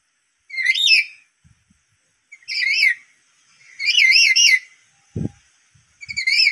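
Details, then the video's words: A provoked black-capped lory making piercing, warbling screeches, four drawn-out calls each rising and falling rapidly, with an occasional dull knock. "burung nuri tersulut emosi suaranya melengking"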